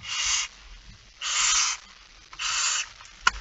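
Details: Barn owl at a nest in Friesland, 6 September 2019 at 21:14, as the male brings the first mouse of the evening; three long, harsh, breathy hissing screeches about a second apart, ending with a sharp click.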